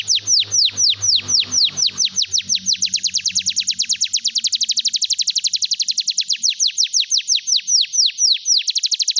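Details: Canary song used to stimulate silent canaries to sing: a loud, fast trill of sharply descending sweeps, speeding up into a dense rolling run, then slowing to spaced swoops, with a low hum at the start.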